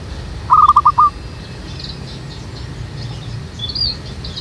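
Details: Zebra dove serving as a trapping lure in a jackfruit tree behind a house: a single quick stuttering phrase of five or six pulsed coos, then quiet with faint high chirps of other birds.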